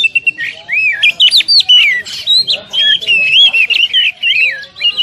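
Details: Oriental magpie-robin 'tembakan rapat' song for training caged birds: rich, continuous whistling with looping, up-and-down slurs and sharp notes packed closely together, loud and energetic throughout.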